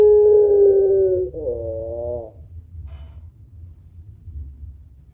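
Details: Puter pelung barbary dove, a long-voiced bird with a thick kuwok used to stimulate other birds, gives a level low coo of about a second, then a short wavering note, then quiet with faint hum.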